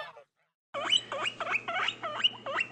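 A goose gives a quick run of harsh, nasal honks, about three a second, after a brief spoken word. A steady low hum runs underneath.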